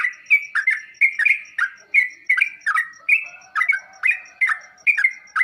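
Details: Sooty-headed bulbul song for getting other birds to answer: fast, regular run of short whistled notes, each sliding downward, about three per second, with faint steady ticking in the background.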